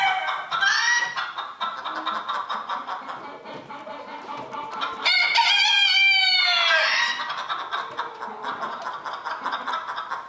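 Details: Roosters at a 2022 crowing contest in Villers-la-Ville: one loud crow in the middle rises and then falls over about two seconds, over steady clucking and chatter from many other birds.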